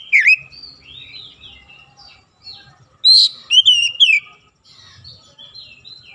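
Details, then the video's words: Oriental magpie-robin singing in morning sunlight: a sharp rising whistle opens, then soft warbled notes and a pause before a loud burst of clear, slurred whistles around the fourth second, ending in quieter chatter. "SINAR MATAHARI PAGI SANGAT AMPUH MEMBUAT KACER LEBIH GACOR"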